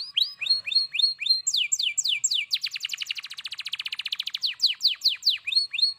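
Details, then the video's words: Singing canary, loud and persistent: a few slow downswept whistles lead into a dense, rolling high trill. The song then returns to spaced, sharply falling notes. The background is otherwise quiet apart from a faint hum. "kenari gacor"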